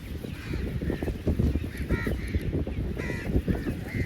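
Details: Several crows feeding together utter scattered harsh caws, some overlapping, against steady low-pitched background rumble.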